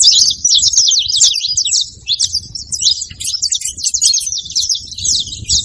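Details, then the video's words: Saffron finches singing together as a group, noisy overlapping high chirps and twittering trills running continuously, with quick slurred notes and rapid chatter blending into one busy chorus. "Canário da terra junto fazendo barulho"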